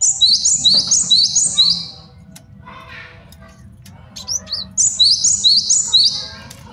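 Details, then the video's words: Male cinereous tit used as a master song for training birds and luring them. It sings two bursts of quick, high, repeated two-note whistled phrases, about five per burst, separated by a pause with faint clicks and a low hum. "MASTERAN GELATIK BATU JANTAN BAGUS BUAT MIKAT DAN MASTERAN BURUNG JAWARA"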